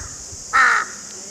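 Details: A single loud, harsh caw from a crow, called a raven here, about a third of a second long and clearly above a faint, constant hiss.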